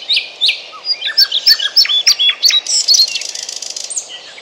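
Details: European pied flycatcher singing near Bryansk, with sweet high notes in quick succession, paired falling whistles first, then a lively series of short clear notes, ending in a faster trill; quiet background.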